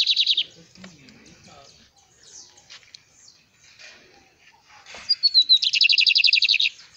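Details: Bigodinho (Lined Seedeater) sings on a hand. A short buzzy trill opens, followed by a long stretch of quiet room noise. Near the end, high descending whistles run into a rapid, even trill of about fifteen notes.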